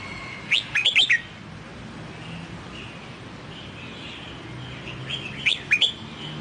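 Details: Wild-style Red-whiskered bulbul song in the Sông Kon manner, played to train a new wild-caught bird: a crisp whistled phrase of five quick notes, a long gap with faint warbles, then a quieter repeat.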